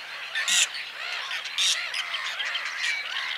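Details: Whiskered tern: two loud, harsh, rasping calls stand out near the start and middle, over a dense, steady chorus of many short arching chattering calls from a flock.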